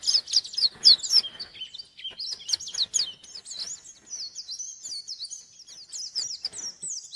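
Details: White-eye calling out to a rival with a varied high song: a choppy chatter opens, then long runs of thin sliding whistles and warbles carry on at a steady high pitch.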